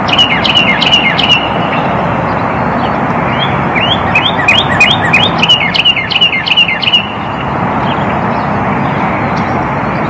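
Northern Cardinal giving a quick run of sharp, metallic chip notes, several per second, for about seven seconds, over a steady traffic rumble.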